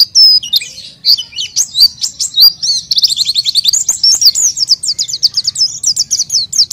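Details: Oriental white-eye song as a lure for untrained white-eyes. A few separate high whistles open, then a rapid, tightly repeated sequence of sharp, descending chirps at a steady fast pace.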